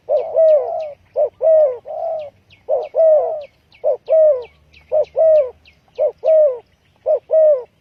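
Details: Spotted dove lure call for trapping: a rapid, rhythmic run of paired cooing notes, a short coo then a longer falling croon, repeated about once a second, with faint high chirps of another bird behind.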